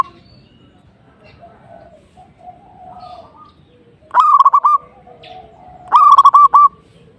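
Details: Zebra dove, locally perkutut, singing to provoke a rival: after several seconds of soft background cooing from other doves, two loud rolling phrases of a rising note and a rapid broken trill, nearly two seconds apart.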